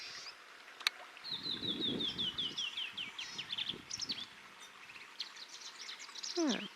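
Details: Black-capped Vireo singing on a morning survey in rocky scrub near Enchanted Rock, north of Fredericksburg, Texas: a run of quick, high, slurred chips and warbled notes, low murmuring and rustling underneath, a sharp click early on.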